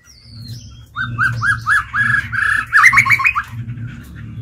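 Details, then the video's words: Captive White-rumped shama kept as a lure bird, singing to call in and challenge wild birds: a run of short repeated whistled notes, about four per second, rising in pitch into a quicker burst at the end. "Chích chòe lửa mồi hót gọi bổi"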